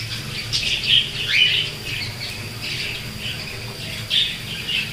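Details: From a cage shared with budgies, where a female cockatiel hatched one chick, come scattered shrill squawks in short bursts, with quieter gaps between them and a low hum beneath.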